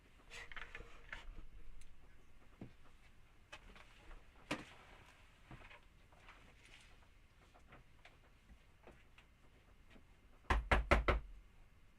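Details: Indoor room noise with scattered clicks and knocks, ending in a quick burst of loud taps; no animal sound.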